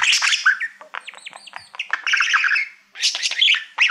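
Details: Male pet budgerigar warbling at a mirror-like award plaque: dense chattering song mixing squawky chirps, rapid ticking clicks and whistled squeaks, pausing briefly before a final loud burst.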